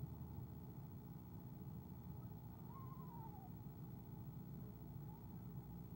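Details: Eastern screech owl on a camera-watched nest, 17 February 2015, giving a soft trill as its mate arrives: one quavering, gently descending trill near the middle, over a steady low hum.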